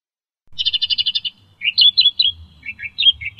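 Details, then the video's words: Australian reed warbler, endemic to Australia and found in reeds and tall grasses. It starts with a fast, even run of identical chips, then moves into varied, warbling, rising and falling notes. "SUARA KICAU BURUNG Kerakbasi australia"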